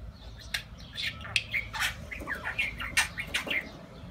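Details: Talking pet budgerigar, said to be declaring its love, recorded indoors; a quiet run of short scratchy chirps and warbled notes, a few sharp clicks, over a low steady background hum.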